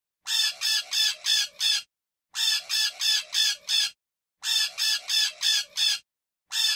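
Parakeet giving harsh, raspy screeches in quick bursts of five, each burst about one and a half seconds long and repeated roughly every two seconds.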